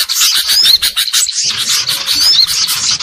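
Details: Greater green leafbird giving noisy, agitated calls used as a lure to attract birds: loud, harsh, buzzy squawks and high chattering notes in rapid bursts, with a thin rising whistle recurring about every two seconds.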